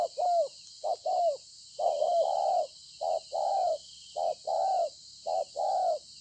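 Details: Recorded 26 September 2020, a wild-caught spotted dove gives repeated soft coo pairs, each a quick note followed by a broader sustained coo, roughly one pair per second, over high insect buzzing.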